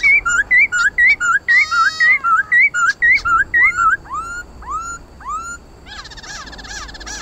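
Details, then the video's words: White-browed laughingthrush in competitive song gives loud, clear whistled phrases, rising and falling slurs about twice a second, ending in a harsher scratchy burst. "Tiếng khướu mun hót đấu"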